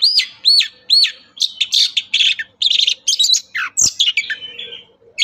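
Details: Singing long-tailed shrike, a lure for reluctant birds: three arched whistled notes open into fast, scratchy chatter and buzzy bursts, with a faint low hum behind.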